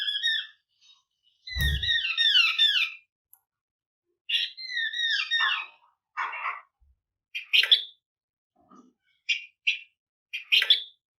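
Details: Flamboyan bird singing steadily in dense bursts, used as a lure to make other birds sing: series of clear whistled notes, each sliding downward and repeated in quick runs, followed by shorter harsh chips.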